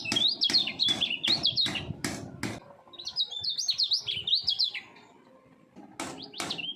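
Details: Three-year-old caged common iora, a would-be champion songbird, singing full speed in double voice: rapid zigzag whistled phrases punctuated by repeated sharp knocks, a pause, then whistling starts again.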